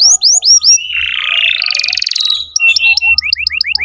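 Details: Canary song played to teach young canaries: a few falling whistled notes, a long harsh buzzy trill, then a run of rapid short rising chips; faint low rumble underneath.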